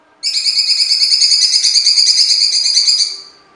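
A Black-crested Bulbul gives a harsh, buzzy, rapidly pulsing rattle, held steady for about three seconds before fading out.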